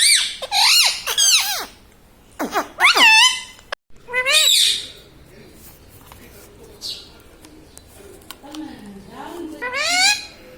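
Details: Talking Indian ringneck pet parrot giving laughter: a tumble of hoarse, wavering, voice-like syllables in quick clusters, a quieter mumbling stretch, then another raspy arched burst.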